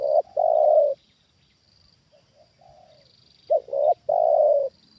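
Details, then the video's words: Trained decoy spotted dove calling at a wild bird: a long loud coo, then soft distant coos, then another phrase of two short notes and a drawn-out coo; faint insect hum throughout. "Inilah Reaksi Tekukur Ajaran Di Turunin Burung Liar Untuk Kedua Kalinya"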